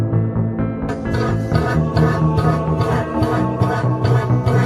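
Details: Plucked string music with rhythmic strummed chords; no animal sounds are heard.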